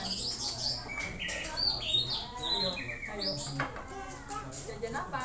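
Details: Long-tailed shrike, a singing contest bird, pours out a dense, varied stream of chattering notes, squeaky whistles and short buzzy phrases. The notes overlap rapidly, with a harsher burst just past the middle and no clear pauses.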